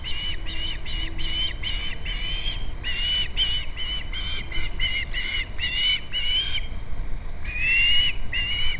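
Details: Osprey at its nest on Captiva, filmed by a nest camera on February 2nd: a steady run of short, whistled chirps with bright overtones, some notes slightly rising, grouped in bursts across the whole stretch, with a low background rumble.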